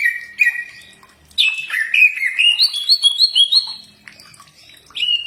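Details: Cak ijo singing a master recording meant to make other birds answer: varied clear whistled phrases, some sliding down, others rising in steps, with short bursts separated by pauses.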